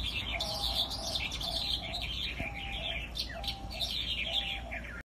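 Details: Sandgrouse, many birds chattering at once with quick high chirps in rolling bursts, a sharp click near the midpoint, and a constant low background rumble under thin repeated lower tones.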